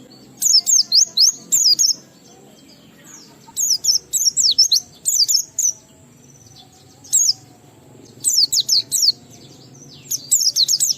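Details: Oriental white-eye singing ngalas with riwikan fills, used to prompt other white-eyes to sing: short clusters of very high, rapid twittering notes separated by pauses of about one to two seconds.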